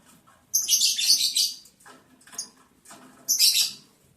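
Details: Lovebirds in breeding season, mating, day 11 of breeding progress, July 11, 2022: a long grating shriek of about a second, a brief chirp, then another rasping burst, over a low background hum.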